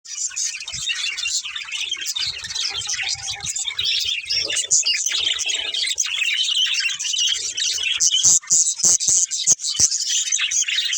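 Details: Several pet budgerigars playing together, chirping constantly in a dense, bright chatter of quick high warbles and squeaky tweets that overlap throughout, with occasional sharper clicks.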